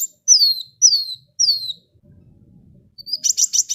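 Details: Sunbird (kolibri wulung) in lively full song, played so other birds join in: three sharp high whistles sliding downward, evenly spaced, then a pause, a low rustle and a quick buzzy rattling trill.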